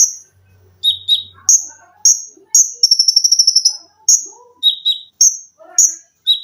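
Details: Cage-bird training song of an olive-backed sunbird (konin): loud high piercing notes alternating with lower chips and a rapid high trill in the middle, varied and busy.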